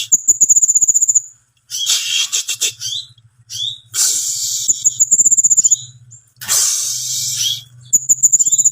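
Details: Timor sparrow song: bursts of harsh, noisy chattering alternate with rapid, high, thin trilled notes and short sharp chirps, with brief silent gaps between phrases.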